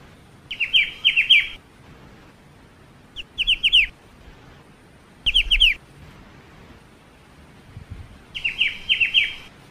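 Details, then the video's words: Black-winged starling (ciu) delivering four separate bursts of sharp, ringing downslurred chirps, three to six notes each, with pauses of one to two seconds. "BURUNG CIU // MASTERAN KICAU BURUNG CIU."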